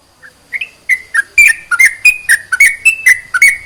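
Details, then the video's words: Sooty-headed bulbul song for rousing lazy bulbuls to sing: a few soft opening notes build into rapid, evenly paced whistles, about four per second, alternating rising and falling slides, crisp and clicky. "CEPAT MERANGSANG TRUCUK MALES BUNYI || Menaikan Emosi"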